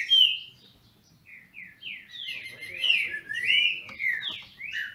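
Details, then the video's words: Green-winged saltators kept in captivity in Brazil competing in song: mellow whistled slurs after a short quiet gap, rising and falling, with faint low murmuring underneath. "Trinca ferro disputando!!!"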